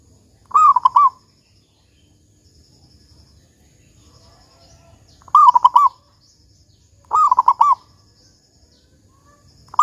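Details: Local zebra dove in the big 'kung' song style, played to entice other zebra doves to sing: rolling, trilled coo phrases at irregular gaps of two to five seconds, four in all, the last cut short.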